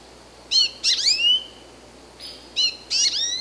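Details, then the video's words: An American goldfinch gives two clusters of thin, high chirps with sliding downward tails, separated by a brief pause in a quiet setting. "Cri du Chardonneret jaune/American Goldfinch Call"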